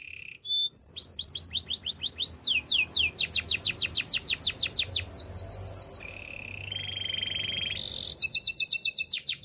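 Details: Belgian canary delivering powerful training song: a whistled note, a quickening series of sharp downward-sweeping chirps, a dense rattling trill, then steady piping rolls and a bright ringing phrase.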